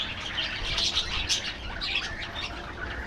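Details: Budgerigars chattering in an aviary colony, a busy mix of high chirps and scratchy squawks from many birds, with a low background hum.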